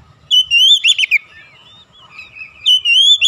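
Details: Oriental magpie-robin song for provoking fellow magpie-robins: two long wavering whistled phrases with a brief harsh trill between, separated by a soft pause.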